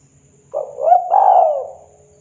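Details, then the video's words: Spotted dove, a local wild-type bird, singing in the 'kuk 2' style: a short run of low, mellow cooing notes, rising slightly and then sliding down into a drawn-out, fading coo, over a faint steady background hum. "TEKUKUR SUARA LANGKA ! Tekukur KUK 2 Lokal Alam Manggung Gacor Suara MERDU ISTIMEWAHHH"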